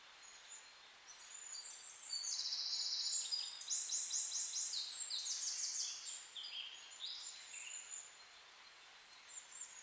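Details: High, thin birdsong with rapid trilled phrases and bright chirps, several notes overlapping, over soft hiss, recorded in a beech forest with Rhododendron in bloom. Bird.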